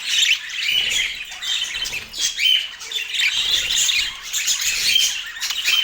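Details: Lively budgie chirping from Portland, a steady stream of shrill squawks, twitters and short whistled notes that swell and dip in loudness.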